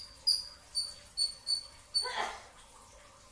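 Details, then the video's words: Brown-throated sunbird before dawn at sahur, uttering five high thin chips in quick succession, followed by a brief soft rustling noise. "kicau konin dacok, kolibri ninja 2tak dada coklat full tembakan rapat"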